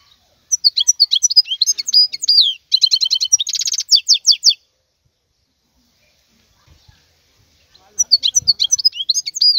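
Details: Wild European goldfinch singing: rapid high twittering phrases with trills and buzzy rattles, then about three seconds of silence before another twittering burst near the end.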